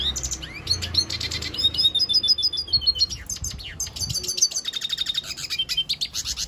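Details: Lesser goldfinch singing at length: a fast, high jumble of buzzy trills and chattering notes broken by thin whistled slurs, delivered almost without pause over a quiet background.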